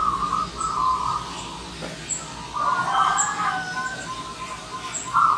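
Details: Wild zebra dove arriving as a visitor: several trilled, purring coo phrases, one louder and more complex in the middle, with scattered thin high chirps from other birds.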